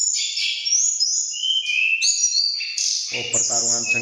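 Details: Mountain tledekan from Cilongo, Indonesia, dueling vocally with a rival, both birds excited: bright high whistles stepping down and up in quick overlapping phrases, then a man's voice briefly under the singing at the end.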